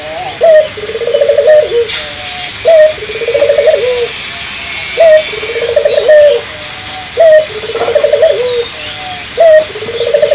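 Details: Spotted dove in full, persistent song, used to prompt local doves to join in; cooing phrases repeated about every two seconds, each with a short rising note, a trembling stutter and a falling tail.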